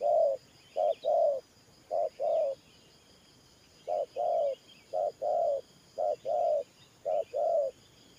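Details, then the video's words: Spotted dove, a trapping decoy, cooing 'thổ pha nước' style in short-long pairs about once a second, with a brief pause after the second pair; faint chirps of other birds in the background. "Thổ Pha Nước Gù AE Tự Thẩm.Clip288_ Nết Gù coi sướng mắt"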